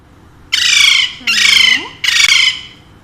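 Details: Pet Alexandrine parakeets, one of two kept birds said to speak Urdu and Hindi, giving three loud, harsh, broadband squawks about half a second each, with a man's voice talking softly between them.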